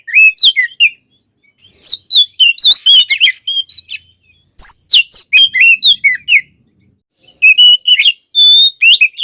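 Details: White-rumped shama pouring out varied song to rouse other shamas: bursts of rapid whistled and chattering notes separated by short pauses, with high clear slurs and quick trills, no other sounds.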